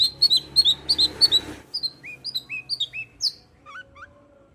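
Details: Long-tailed shrike in full song, played to provoke a reluctant shrike to sing: a fast burst of bright repeated chirps, then spaced whistled notes sliding up and down, ending with softer rising twitters.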